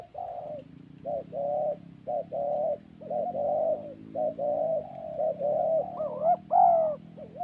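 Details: Spotted doves, a thổ-style cooing fight in a decoy trapping setting in Vietnam's Central Highlands; steady chains of mellow, throaty coos roughly once per second, closing with higher rising-falling notes, over a low droning hum.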